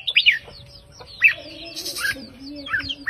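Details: Red-whiskered bulbul of the counted-phrase line singing 3-4-5 phrase sets to stir other birds: a few short bright whistled bursts spaced by gaps, over a faint steady low hum.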